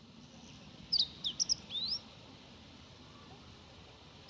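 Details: Meadow bunting (Emberiza cioides) spring song on a cloudy, slightly chilly February 25, 2018: one quick, high phrase of sharp chips ending in a rising slurred note, about a second long, over a faint low rumble.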